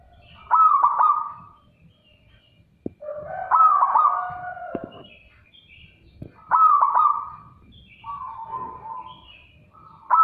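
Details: A local Zebra dove that came on its own gives loud, bubbly cooing phrases about a second long, repeated roughly every three seconds, with quieter trilling between.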